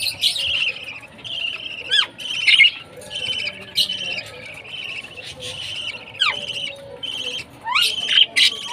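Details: Baby budgerigar chirping at food time, a pet parrot being fed; dense, continuous high chirps and harsh trills with sharp rising and falling sweeps, in rapid overlapping bursts throughout, no other clear sounds.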